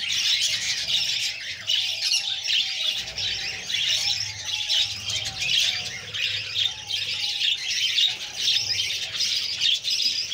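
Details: Young budgerigars beg as the mother feeds them, producing a steady hoarse, hissing chorus of rapid high squeaks that swells and fades in loudness throughout, without breaks.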